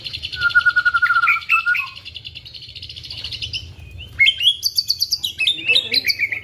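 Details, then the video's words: White-rumped shama singing with imitation of a female prinia: a long rapid trill of repeated high notes over a lower steady trill, then sharp whistled notes and quick rising chips. "Muray batu isian prenjak betina"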